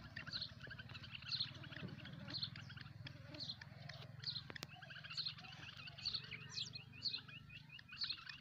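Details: A black francolin chick, about 2.5 months old, calling with sharp, high, squeaky notes about once a second over a low hum.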